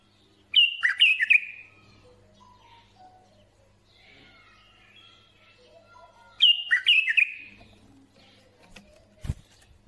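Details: Bulbul song in two loud, matching phrases about six seconds apart: each is a quick run of sharp, descending whistled notes blending into a rich warble, with soft scattered chirps and a low steady hum between them.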